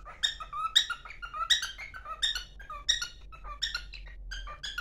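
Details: Cockatiel kept as a pet, singing while hurrying to its mate indoors: quick squeaky whistles alternating with lower warbled notes, irregular phrasing, over a faint low room hum.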